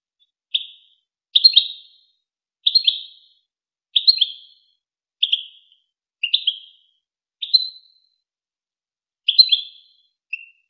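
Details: Goldfinch song from the renowned Wakr Touzgha tape for teaching young goldfinches and hybrids: a steady series of short tinkling twitters, about one each second, some ending in a slurred downward note.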